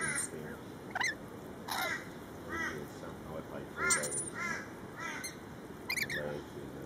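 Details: Feeding-frenzy lorikeets: shrill broadband screeches at about 1, 1.7, 4 and 6 seconds mixed with repeated arched, harmonic squawks, all above a constant low-pitched background chatter.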